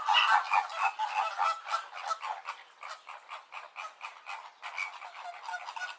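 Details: Massed calling of greater and American flamingos: a dense, pulsing stream of short nasal honks from many birds, slightly louder at the start.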